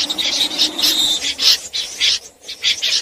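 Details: Night snipe calls used for trapping with nets: quick, overlapping rasping notes repeated steadily over a constant hiss.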